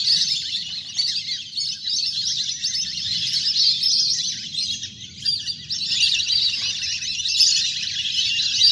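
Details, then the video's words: Large flock of wild ducks playing on water, used to coax birds to land; dense squeaky chatter that briefly thins near the middle, then swells again, with low rumbling underneath. "เสียงนกเป็ดน้ำ! ฝูงใหญ่เสียงคมชัดมาก"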